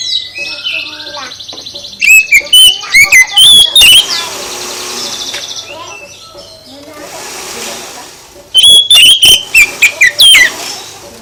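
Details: Oriental magpie-robin song played to provoke other birds into answering. Loud phrases of clear and swooping whistles at the start and near the end, with softer chatter and a stretch of hiss between them.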